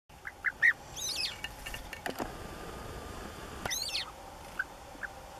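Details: European bee-eaters at Valdesogo, 11 May 2013, give short liquid notes, then a few rolling, trilled calls, over sharp clicks and a steady low hum.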